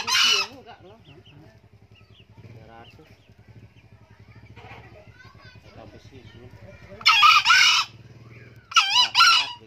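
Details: Old male green junglefowl crowing repeatedly: three harsh two-part crows, one cut short at the start and two more later about two seconds apart, with people talking and low hum in between.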